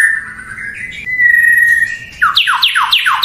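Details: White-rumped shama (murai batu) song to provoke rival males into answering: long sustained pure whistles, then four fast, loud, steeply falling sweeps.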